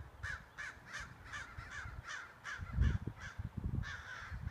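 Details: Two large crows harassing and chasing a hawk away from their colony: harsh caws repeated about every half second in a steady run, with low wind rumble and thumps underneath.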